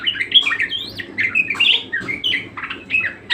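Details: Budgerigar, known locally as parkit or kesturi, singing: squawky rising and falling whistles mixed with harsh scratchy chatter, phrases running into one another, low hum in the background.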